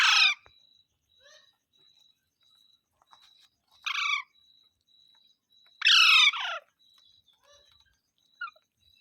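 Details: Green parrot saying mitthu mitthu: scattered rough, descending nasal syllables, the loudest a doubled burst near the middle, with soft clicks and small noises between calls and a steady faint whine.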